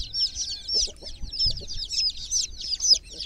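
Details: Chicks in a water pool chirping: a dense stream of high, sharp peeps repeated several times a second, with faint soft low sounds beneath.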